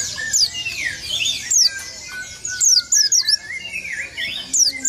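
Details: Oriental white-eye singing an open-beaked rolling song said to provoke rival birds: rapid high twittering and sharp downslurred whistles in quick bursts, with faint lower tones running underneath.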